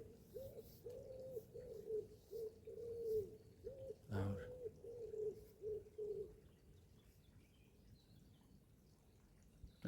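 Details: Common wood pigeon somewhere overhead in woodland by a creek valley gives soft, low hooting coos in a steady, rhythmic phrase.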